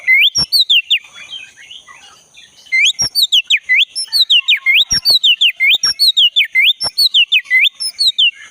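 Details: Vigorous song of a black-breasted Oriental magpie-robin from the forest, used to make a silent caged bird sing; series of loud swooping whistles repeated about once a second, with a short quieter gap of softer chatter.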